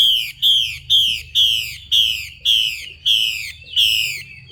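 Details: Female Chinese hwamei calling to stimulate males: loud, harsh, buzzy notes that slide downward, repeated steadily about twice per second, ten in a row.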